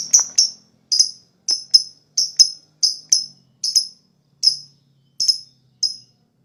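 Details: Lovebird sounds meant to spur other lovebirds into fast chattering: sharp, high chirps, often in quick pairs, repeated at an irregular pace over a quiet background with faint low noise.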